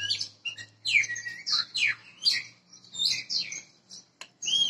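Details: A wild-caught Oriental magpie-robin (Copsychus saularis) from Borneo sings a rich, varied run of sweet whistles, slurred notes and scratchy chips with brief pauses, over a faint low hum.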